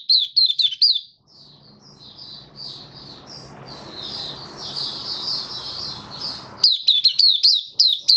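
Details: Kept white-eye, 18 May 2022, post-deworming, in 'buka sing' opening song: a brisk burst of high falling chirps, a long hissy stretch with faint warbling, then sharp chirps resume quickly.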